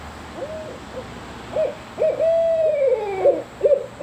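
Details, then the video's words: Juvenile barred owls learning to call: a series of short, arched hoots, then a longer drawn-out, wavering hoot and a few more brief notes, with faint higher overtones in a quiet setting. "Juvenile Barred Owls learning to call."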